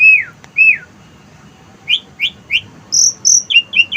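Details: From a house terrace, an Asian pied starling uses wild-bird phrases: two loud falling whistles, a trio of bright chirps, then high thin notes and quick double chirps.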